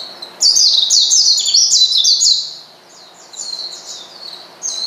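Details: Oriental white-eye calling to rile up a rival bird: a dense burst of rapid, high, twittering chirps for about two seconds, then softer scattered thin notes and a final high whistle.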